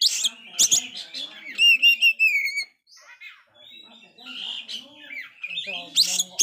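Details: Oriental magpie-robin that failed to moult yet sings prolifically, used to rouse dispirited magpie-robins; varied whistled phrases with rising and falling notes, harsh broadband bursts and some low murmuring sounds underneath.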